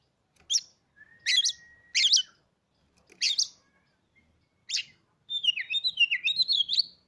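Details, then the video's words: Caged Oriental magpie-robin, bought three days earlier after staying silent with its previous owner, gives harsh burry bursts, a long flat whistle, then a fast varied warbling phrase at the end; quiet background otherwise. "kacer kamu pasti langsung gacor,,Cocok untuk memancing Emosi burung kacer"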